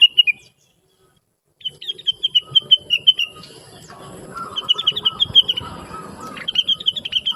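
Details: Chattering blue-winged leafbird, sung as a master for teaching other birds: a brief note, a silent pause, then repeated high twittering phrases that drift lower, with a softer buzzy warble in the background.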